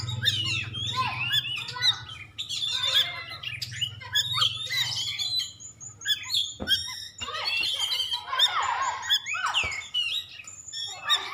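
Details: White-rumped shama, a contest-champion bird from Aceh, delivering a dense jumble of high chirps, whistles and harsh chattering notes in bursts, over a constant low electrical hum.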